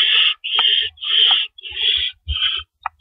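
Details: Owls at a nest around 4:30 AM on April 4, 2012, as rabbits come and go. Long, harsh, rushing hisses run almost back to back, with brief thumps and shuffling between the calls.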